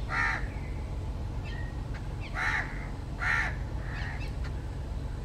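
Jungle Babbler giving three loud, harsh, nasal squawks about a second apart, with softer squeaky notes between, over a steady low rumble.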